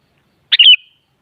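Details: Kutilang, the sooty-headed bulbul, singing to draw a reply from another kutilang: a single brisk note then a fluid whistled flourish that trails off, silence around it.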